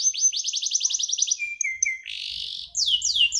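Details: Singing canary, kept as a pet songbird: a quick trill of high descending notes, then short level whistles, a broad harsh buzzy note, and two sweeping downslurs at the close, with a faint low background rumble.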